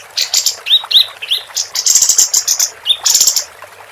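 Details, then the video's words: Tutor recording of a singing female capped white-eye for contest birds: several short rising whistles, then extended bright, buzzy chattering phrases, then another whistle and a further buzzy burst. "Kapas Tembak Betina Gacor"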